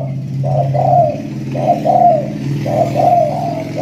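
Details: Spotted dove just out of its moult and now singing vigorously and aggressively: mid-pitched rounded coos in short phrases, each about a second long, repeating steadily over a low hum.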